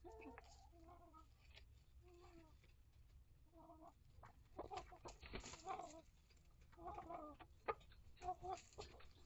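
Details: Mixed flock of one-year-old hens and young chicks in a coop, including Rhode Island Red, Barred Rock and Light Brahma, uttering repeated soft nasal clucks and rising cackles in bursts, with scuffling and knocks behind.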